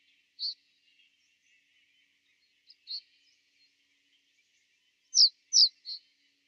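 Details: Common reed bunting calling in winter at Genk, Boxberg, Belgium: scattered single high thin notes, then a close trio of sharp descending tseep calls near the end, over a faint continuous bird twitter.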